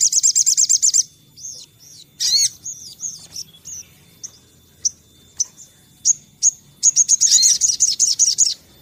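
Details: Sunbird song used as a lure for singing birds: a quick high buzzy trill, varied squeaky and slurred high notes with scattered single chips, then another long rapid ringing trill to the end.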